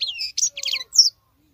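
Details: Female European goldfinch singing like a male: a brief phrase of liquid twittered notes with a buzzy middle part and a sharp final chirp.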